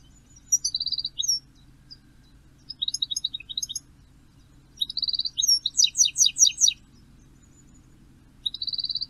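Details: European goldfinch singing from a perch at 06:16 on 14 May at Poole Harbour: bursts of rapid, high tinkling twitters and buzzy trills, with fast repeated note series and pauses between phrases; faint low hum beneath.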